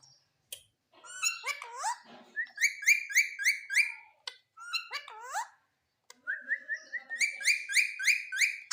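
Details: Indian green ringneck parrot talking, mixing speech-like swooping syllables with rapid runs of short repeated upslurred whistled notes, about three per second, with soft chatter between.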